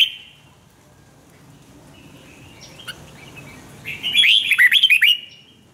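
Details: Red-whiskered bulbul used in song training delivers a quick cascade of sharp, warbling, up-and-down notes lasting over a second, preceded by softer thin whistles and a faint brief note at the start.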